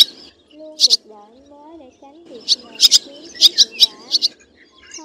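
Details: Black swallows (white-bellied swallows) calling to the flock as a roosting lure: sharp, high twittering chirps in quick bursts of two or three over a lower sliding, warbled tone.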